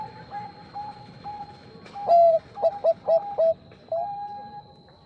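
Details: Bangkok zebra dove singing vigorously in reply to a rival. Faint steady coos lead into a loud phrase: a long opening coo, four quick staccato notes, then a sustained closing note, with gentle cooing after.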